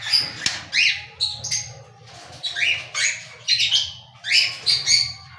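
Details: Cockatiel calling: loud, bright chirped notes, many sweeping upward, given in quick bursts and short runs about every half second to one second, over a faint low steady hum.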